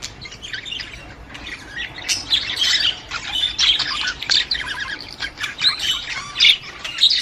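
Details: Breeding-stimulation sound for a female budgerigar: quieter opening, then busy squawking warble with buzzy notes and chirps, several birds calling at once.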